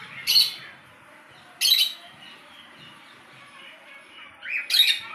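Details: Budgerigar chicks being hand-fed: three harsh, raspy squawking bursts spaced over a few seconds, each short and rough-textured.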